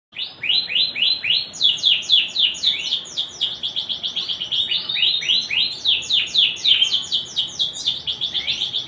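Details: Canary singing in a lively, varied style called cengkok mewah: rapid runs of bright, high whistled notes dropping in pitch, repeated about four times a second in long rolling phrases with short changes of tempo and tone.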